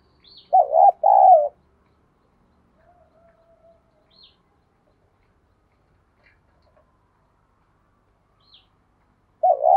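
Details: Spotted dove decoy bird calling to lure others: a pair of deep, throaty coos near the start, a long quiet gap with faint small clicks, then another coo beginning at the very end.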